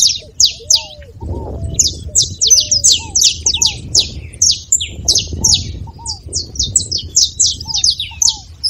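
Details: Saffron finch song, used to encourage a silent canary to sing: bursts of sharp high chips building into dense, fast runs, with short arched lower whistles throughout and soft low background noise.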